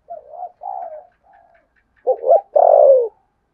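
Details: Spotted dove giving contest cooing in the style called Sấm Thổ: a few soft low coos, then a stuttered double note and one long loud falling coo.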